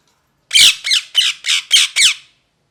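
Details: Parrot calling indoors: six harsh, loud squawks in quick succession, each a broad screech with a falling harmonic stack, spaced about a quarter second apart, then silence.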